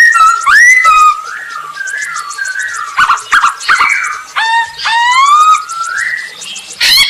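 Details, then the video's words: Masked laughingthrush in full song, kept as a lure to set other birds singing; rising and falling whistled notes mixed with short sharp clicks and quick upward-sweeping phrases, continuous and varied. "Burung poksay hongkong gacor untuk pancingan"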